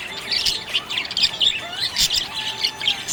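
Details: Happy budgerigar chirping: dense, fast chatter of high, scratchy chirps and short warbled notes in quick bursts, with brief clicks and a faint steady low tone underneath.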